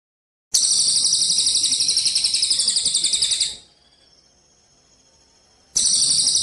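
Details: Eurasian tree sparrow, gereja cililin kapas tembak style, recorded for training contest birds: loud, buzzy, very fast trill of high notes lasting three seconds, a quiet gap, then the trill resumes.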